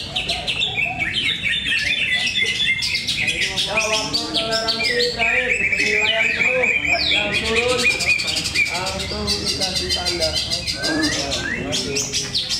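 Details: Greater green leafbird contest singing at Cikeas on Monday 21/10/24: long stretches of rapid, varied whistles and chattering trills from overlapping caged birds, backed by a steady murmur of people.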